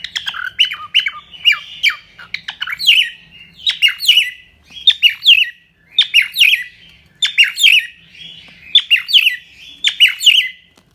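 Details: A cockatiel kept as a pet chatters in a continuous run of harsh, chirpy notes grouped in quick bursts about once a second, with a bright rasping edge throughout.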